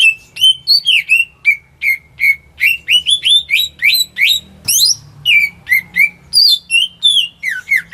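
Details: Greater green leafbird, a home-kept bird whose song serves to draw silent birds into singing; rapid continuous stream of varied whistled and slurred chirps, rising and falling, loud and clean against a quiet room.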